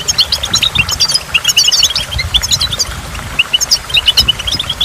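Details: Goldfinch twittering at a waterfall, with clusters of sharp, high chirps and rapid trilled phrases, then a brief lull and more chirps, above a soft wash of falling water.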